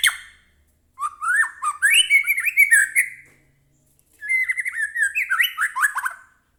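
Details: White-rumped shama singing, played to stir a caged bird into answering: two long bouts of fast, scratchy, chattering phrases with rising whistled notes, separated by a silent gap.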